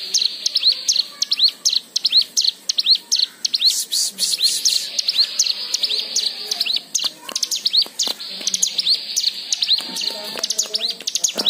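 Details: White-eye song played as a lure to get other white-eyes singing: a long, energetic stream of high chips and slurred rising whistles, with occasional lower soft notes.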